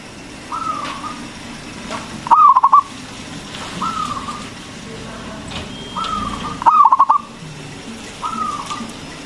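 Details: Energetic local zebra dove with a big voice, meant to provoke other doves to answer. Two bursts of rapid cooing pulses about four seconds apart, with softer drawn-out notes between them over light hiss.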